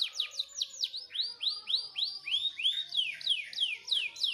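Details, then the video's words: Master song of a canary used to teach other canaries to sing: high, arching downslurred notes repeated about three to four times a second in a steady rolling series. "Suara Masteran Kenari Gacor Cocok Buat Burung Kenari Yang Susah Bunyi"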